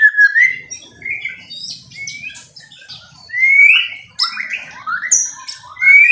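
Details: Caged white-rumped shama of fighter type with a loud song: clear whistled phrases, rising slurs and high sharp notes separated by short gaps, fairly clean background.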